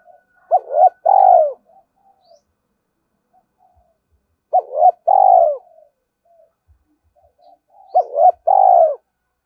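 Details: Decoy spotted dove urging and calling, repeating a brief phrase three times about three and a half seconds apart: two quick hoots run into a longer pulsed, falling coo.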